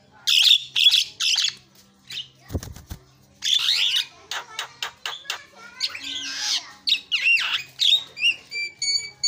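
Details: Javan myna lure recording meant to rouse birds that have stopped singing: rapid series of rasping, buzzy bursts and clicks, a brief low thump midway, then short clear whistled notes near the end.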